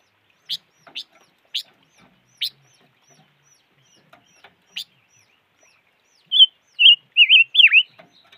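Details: Silver-eared mesia: a handful of short, sharp chip notes spaced irregularly, followed by a phrase of four rippling whistles ending in a deep downward swoop.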